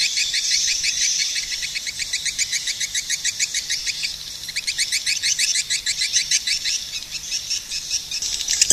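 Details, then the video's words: Swiftlet calling in a long, fast series of high, thin chirps, the notes packed closely and running steadily for about nine seconds with only a brief dip in the middle. "suara burung walet"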